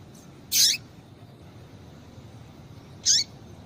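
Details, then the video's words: Female double-collared seedeater calling, used to excite and warm up males: two short, high, sharp calls sweeping downward, spaced about two and a half seconds apart, over a soft low hiss. "Fêmea de Coleiro piadeira Para Esquentar coleiro"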